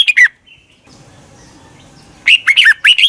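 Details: Red-whiskered bulbul decoy call for luring wild birds: the end of one warbled phrase, a quiet gap of about two seconds, then a fresh burst of lively, up-and-down whistled notes.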